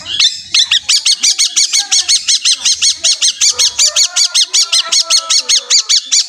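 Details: Long-tailed shrike, Pastol type, singing strongly to stir other shrikes into song; a brief opening note, then a steady train of loud, harsh, buzzy rasps repeated nearly three times a second.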